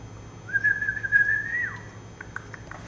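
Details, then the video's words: A lory whistles a single sustained pure note lasting over a second, nearly level with a slight rise, ending in a quick downward slur, then a few faint clicks against a steady indoor hum. "LORY PARROT لوري"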